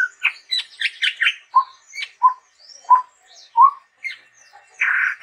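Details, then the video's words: Chestnut-rumped babbler singing: a burst of scratchy chatter, then four low, hollow whistled notes evenly spaced about two-thirds of a second apart, and a final harsh buzz. "SUARA BURUNG TEPUS TUNGGIR MERAH GACOR YANG UNIK"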